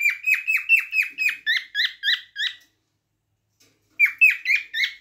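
A cockatiel gives a rapid run of bright, slurred chirps, about four a second, pausing briefly before resuming; nothing else is heard.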